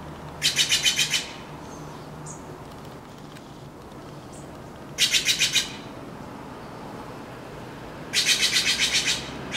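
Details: A Blue Jay, squawking in a tree alongside a crow, gives three bursts of harsh, high squawks, each a quick string of about six rasping notes, separated by pauses of several seconds over a faint low hum.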